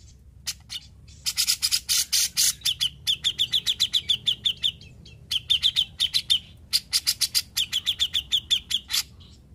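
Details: Grey-cheeked bulbul (cucak jenggot), a once-silent bird now in full voice, alternating harsh scratchy bursts with long, rapid runs of sharp, ringing chip notes, repeated in several waves.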